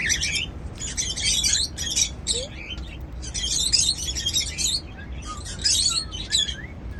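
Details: Several cockatiels, described as happy while eating seeds, sing in dense, scratchy chattering phrases lasting about a second each, broken by brief pauses and faint thin whistles.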